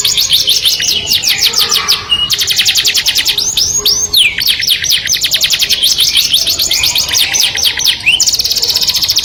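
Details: Melodious canary song for attracting the opposite sex, a long unbroken stream of fast rattling trills interspersed with short rising whistled swoops, loud and steady.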